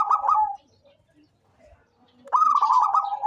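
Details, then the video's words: Local zebra dove in active voice for luring: a brief trilled coo fading into a steady tone, a silent pause, then a fresh burst of fast stuttering notes settling onto a sustained lower coo. "SUARA perkutut LOKAL gacor cocok buat pancingan rajin bunyi"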